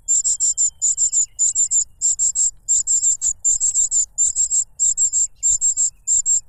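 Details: Hungry cuckoo chick clamouring as its foster father brings food, a butterfly pushed into its mouth; sharp, high, sizzling notes in repeated bursts of three to five, continuous and urgent.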